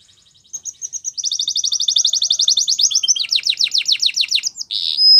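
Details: Singing canary: a soft start builds into a long, rapid, even trill of repeated notes that shifts into downward-sweeping chirps and ends on a loud rasping note.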